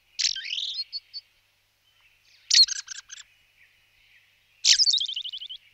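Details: Blue rock thrush singing three clear, separate phrases: a swooping whistle followed by short notes, then a burst of rapid chattering notes, then a sharp note leading into a descending trill. The phrases are separated by silent pauses.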